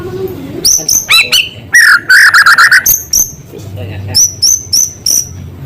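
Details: Singing White-rumped shama whose song borrows small-bird sounds: high thin whistles and sharp chips, a dense burst of rapid trilled notes midway, then spaced high whistled notes.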